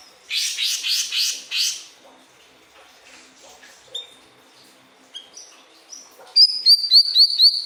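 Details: Pied triller song used as tutor material for pet birds to copy: harsh, buzzy chirp bursts in quick succession, then thin high whistles and a closing run of fast, repeated high notes.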